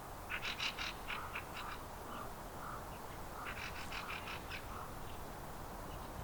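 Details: Eurasian nutcracker in a Finnish cemetery in September 2023. Two runs of harsh, rasping, noisy bursts come in quick series, with quieter gaps and steady background hiss between them.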